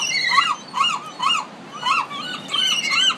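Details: Pacific urban gulls: a handful of drawn-out, mewing, arched cries spaced about half a second apart, over steady background hiss.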